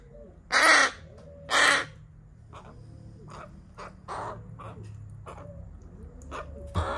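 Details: A young rescued crow, one of three nestlings found abandoned in a garbage bag and on its 11th day in care on 25 June 2022, gives two loud, harsh, rasping caws during feeding, then softer begging calls about once a second, with human voices murmuring.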